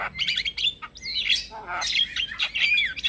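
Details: Male Javan myna calling to provoke answers from other mynas and starlings. A dense, chattering stream of squeaky whistles and grating notes, with sliding whistled phrases toward the end.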